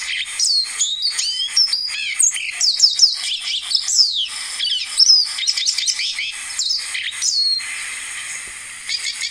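Lesser Goldfinch singing a fast, jumbled run of high, sweet twittering notes and buzzy slurred whistles, with a few thin rising mimic-like phrases, continuous for nine seconds.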